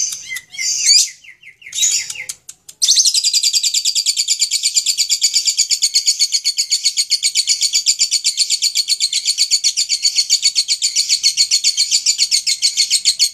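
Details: After a couple of harsh, broken bursts, a lovebird launches into a sustained ngekek chatter, a very rapid, high, buzzing trill of pulses held steadily for about ten seconds.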